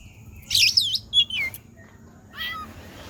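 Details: Cat-imitating song of an oriental magpie-robin: a loud, fast tangle of sweeping high whistles, a short note, then a drawn-out downward slur, ending with a softer falling mew-like phrase after a pause.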